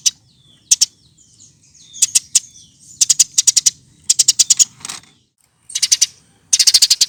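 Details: Eurasian tree sparrow recorded to tutor other birds: scattered sharp chirps and faint chatter building into denser rapid runs of high notes, ending in a fast, loud burst.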